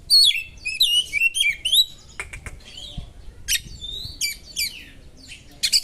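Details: White-rumped shama song, sharp and intense, with mimicry of small birds; clear whistled notes swooping down and up, fast chattering bursts and dry rattles, phrases separated by short pauses.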